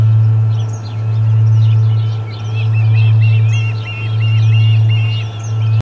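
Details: At the Charlo osprey nest, 6 August 2020, first delivery of the day: an osprey gives quick series of thin, piercing chirps that grow denser toward the end, with a constant deep hum underneath.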